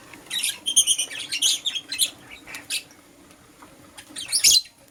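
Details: Green Personata and yellow pastel pied lovebirds chirping in the morning: a run of piercing, rapid twitters, a pause with softer notes, then one loud harsh burst near the end.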